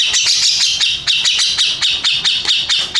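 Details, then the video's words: First-place contest-winning Grey-cheeked bulbul delivering fast scratchy chatter in quick bursts, roughly four pulses per second, bright and high-pitched throughout. "Kicau Burung Cucak Jenggot Juara 1"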